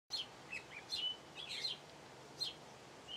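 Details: House sparrow singing: a series of short, sharp, high chirps and tweets, some in quick clusters, spaced irregularly over a quiet background.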